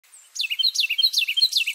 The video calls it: Carolina Wren